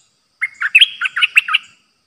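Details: A streak-eared bulbul, a new decoy bird, recorded 06/05/2022, gives a quick, bubbly phrase of six or seven chirpy, slurred notes over about a second, mid-high in pitch, with no other sounds.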